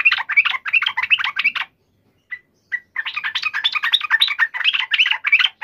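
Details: Yellow-vented bulbul, fighting call used to provoke another bird to answer: bursts of bubbly, chattering notes in quick succession, broken by a short pause with two brief single notes, then a longer chattering run.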